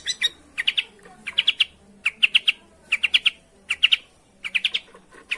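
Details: Long-tailed shrike lure song for a bird reluctant to sing: short scratchy notes grouped in bursts of two or three, repeated roughly every second, harsh and mid-high, over a quiet background.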